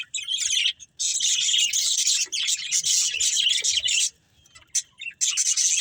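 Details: Breeding pair of budgerigars producing long stretches of rapid, high, rasping chirps, broken by a clear silent gap before the chatter resumes.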